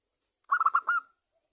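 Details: Local zebra dove, a champion frequent singer, used as a lure to prompt other zebra doves to sing: four quick, soft cooing notes at one pitch in a tight burst, ending in a slightly longer drawn note, all within about half a second.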